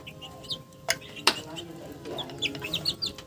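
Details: Chicken sounds: a few sharp clucks followed by quick high chirping notes in a loose series over a soft background.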